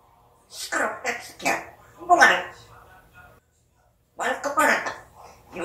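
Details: Pet African grey parrot chattering in quick mimicked syllables, several short punchy words in a row, a pause, then another rapid run of speech-like sounds.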